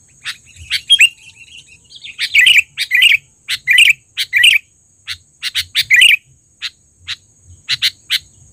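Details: Lure recording of a trained, lively, loud-calling sooty-headed bulbul: a fast run of clipped chirps breaking into rich bubbling phrases, with scattered sharp notes, and a thin constant high tone behind.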